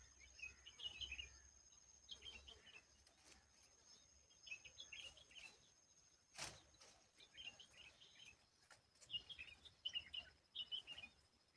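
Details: High, squeaky chirps come in clustered bursts from an Asian babbler tending and protecting its babies from bugs, with a sharp click near the middle and a low insect drone behind.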